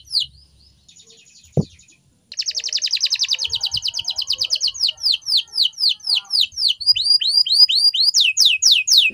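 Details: Canary singing a training song. Scattered high notes and a single click come first, then a dense fast trill, then clear descending whistled sweeps at roughly four per second.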